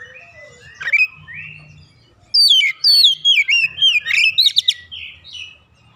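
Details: Young oriental magpie-robin under training, singing keenly and unloading learned fill-in phrases. A few soft slurred whistles, a brief pause, then a rapid cascade of sharp, descending whistles and chips.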